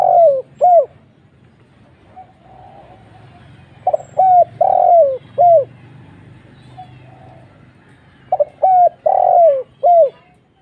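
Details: Spotted dove lure call in the 'kuk 1' style: three rolling coo phrases spaced a few seconds apart, each of short hooting notes with a longer falling coo, over a faint low hum.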